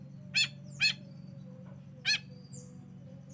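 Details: Long-tailed shrike calls played as a lure to get a reluctant bird singing: three loud, harsh, buzzy bursts spaced irregularly, with a steady low electrical hum underneath.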